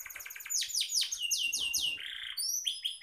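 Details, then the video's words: A canary singing, played to provoke a pet canary into singing: a fast run of bright, high, downward-sweeping chirps, then a buzzy lower note and sharp high whistled notes. "pancingan suara kenari biar kenarimu tambah Rajin Gacorrr"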